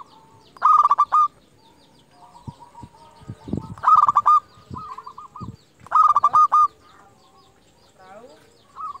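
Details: Local zebra dove calling rivals as a lure: three loud, rapid stuttering bursts of coos, with soft rolling notes and a few light clicks between them.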